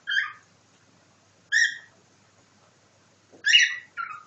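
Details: Cockatiel copying nightingale song: separate bright chirps, then a louder chirp followed quickly by a lower second note, with a faint low tap between.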